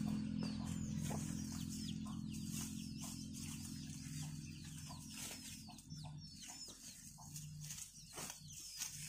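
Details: Village chicks following their mother hen while searching for food give many thin, high peeps that sweep downward, tumbling over each other in quick succession above a steady low hum.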